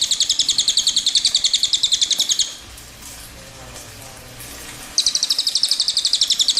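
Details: Two bursts of a cililin's rolling song: a fast high trill for about two and a half seconds, a pause of similar length, then the rapid trill starts again.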